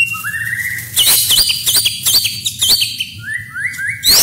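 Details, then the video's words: White-rumped shama masteran training song, full of rich fill-ins with shots and rolls: a slurred rising whistle opens, then loud sharp chips and whistled sweeps, and a series of three upward-sliding whistles near the end. "MASTERAN MURAI BATU FULL ISIAN MEWAH, Tembakan dan Roll Burung kecil"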